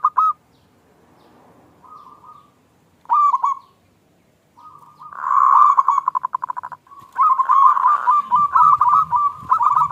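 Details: Small-voiced 'klung' local zebra dove, sung as a lure for other doves. Scattered single coos give way to a dense, fast trill of ringing notes and continuing rapid phrases.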